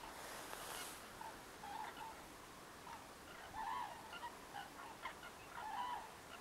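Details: Common cranes foraging in a winter field, pecking here and there; faint, short tonal calls with a slight upward inflection, repeated at irregular intervals over a quiet rural background with a brief hiss at the start.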